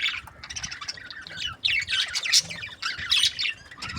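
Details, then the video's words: Happy budgerigar breeding pairs in lively chatter: rapid, buzzy, high-pitched warbling with squeaks and clicks running without pause, several birds calling over one another. "Happy budgie chirping sounds | breeding pairs"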